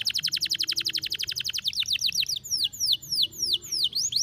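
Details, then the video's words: Canary in breeding heat, termed over birahi, runs a rapid series of bright downslurred notes, about eight a second, then slows to sharp sweeping whistles repeated roughly three times a second. "canary over birahi like this"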